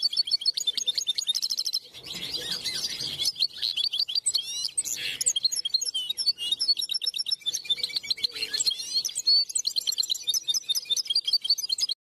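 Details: European goldfinch delivering a clean song: long runs of rapid liquid twitters and metallic trills, with a harsher buzzy stretch near the start and a few scratchy notes midway, continuous and lively throughout.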